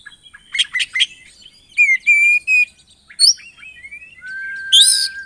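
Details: Oriental magpie-robin in full lively song rich in varied phrases, used as a lure to get other magpie-robins singing: short chirp bursts, bright whistled slurs, a high buzzy flourish, then a long steady low whistle ending the passage.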